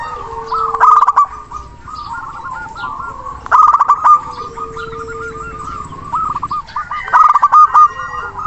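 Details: Local zebra dove with a powerful voice, calling a rival: three loud rattling coo bursts spaced roughly three seconds apart amid a busy background of trilled cooing and a faint held tone.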